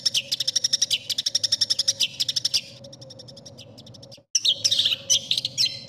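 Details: Contest long-tailed shrike song for tutoring: a fast ticking run of high notes that fades, a brief silence, then a burst of varied scratchy whistles and slurs, with a steady hum beneath.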